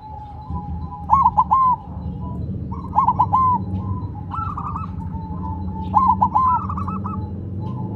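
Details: Zebra dove of the silver variety, placed on the ground and still calling eagerly; bubbling cooed phrases closing with a sustained note recur roughly every one and a half seconds, over a steady low hum of background noise.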